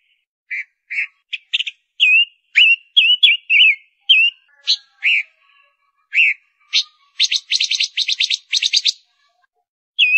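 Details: Lure-bird ngũ sắc female in song, giving a string of short upslurred whistles and chirps that build to a fast buzzy rattle near the end, closing with one more whistled note.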